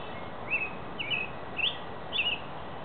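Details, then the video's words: Singing robin giving four short, bright, slurred whistled phrases at roughly even intervals, over a constant broadband noise. "Robin Song"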